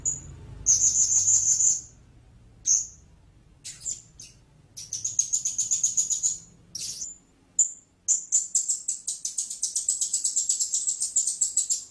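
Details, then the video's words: Blue-crowned hanging parrot giving high, thin, buzzy trills and rapid chittering notes in bursts, with a long continuous run near the end. "เสียงนกหกเล็กปากดำ Blue-Crowned Hanging Parrot Sound"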